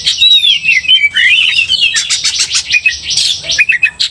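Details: A vigorously singing Oriental magpie-robin, its song meant to stir other magpie-robins to aggression, pours out clear whistled glides and then a rapid series of sharp chattering and scratchy notes.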